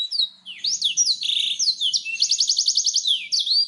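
A black-throated canary sings a fast, high, run-on song of sweeping whistles and twitters, with a quick series of about ten clipped repeated notes midway.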